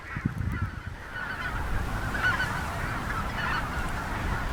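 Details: Greater white-fronted goose flock of about 97% white-fronts with some snow geese, mostly sitting on ice at North Ottawa Impoundment, Grant County, Minnesota, April, in spring snow: a continuous mass of overlapping high yelping calls over low rumbling wind.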